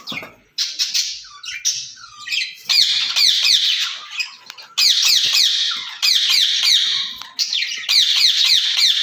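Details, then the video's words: Pair of caged ring-necked parakeets talking to one another: scratchy whistled notes give way to long strings of harsh, rapid squawks in several bursts. "Speaking Parrots in Cage"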